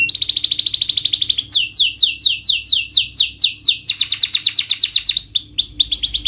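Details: Canary lure song (pancingan) for prompting reluctant, stressed birds to sing: rapid rolling trills of high, downward-sweeping notes, about two per second, switching between several phrase types without pause.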